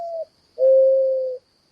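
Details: A Mourning Dove in Michigan in winter gives a brief hooted note, then a long, smooth, steady, mournful coo, over a faint high hiss.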